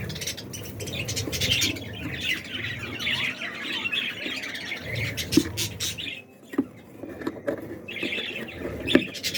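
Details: A breeding colony of budgerigars keeps up a steady, overlapping chatter of scratchy warbles and sharp chirps.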